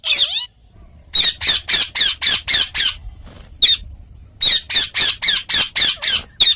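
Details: Rapid, rhythmic screeching by an Indian ringneck parakeet, about four harsh squawks per second in two long runs broken by a short pause.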